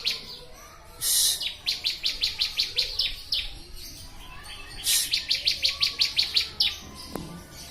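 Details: Bar-winged prinia song on a master recording for training birds: two bouts of quick, evenly spaced high chirps, each opened by a loud harsh burst, with quiet pauses between.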